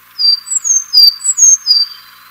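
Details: Sakhalin leaf warbler song, a species breeding in Japan and on Sakhalin Island and resembling its close relative in looks and calls: a series of high thin whistles, each dropping then held level, about six in two seconds.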